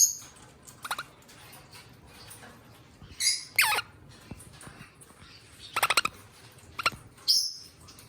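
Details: Two pet eastern rosellas recorded up close indoors: scattered high thin chirps and sharp whistled notes, some quick rising squeaks and brief rattly bursts, with quiet gaps between.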